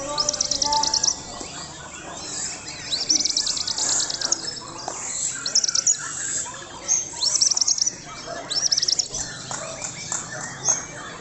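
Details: White-rumped shama singing a varied, rich song of rapid trills, whistles and rattling high phrases in short bursts, some falling sweeps; people exclaim briefly nearby.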